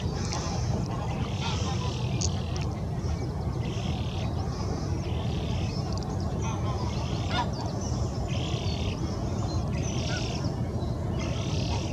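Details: Eurasian spoonbill with a begging young bird behind the adult; short harsh buzzy notes repeated roughly every second, partly masked by strong low rumbling wind or background noise.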